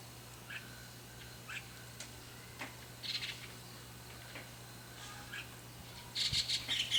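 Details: Juvenile White-cheeked starling calling: sparse, faint, short harsh notes scattered through the first six seconds, then a louder burst of rasping, squawky calls at the end over a steady low electrical hum.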